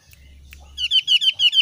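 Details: Rapid series of five shrill chirps, each sliding down in pitch, from a thin-browed Javan grey-throated white-eye, repeated in quick succession after a short quiet lead-in.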